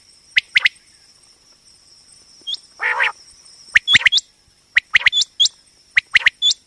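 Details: Batair, a female common quail, calling for quail hunting; clipped double notes and upward-hooked chirps in loose groups, a short buzzy burst midway, with a continuous high whine in the background.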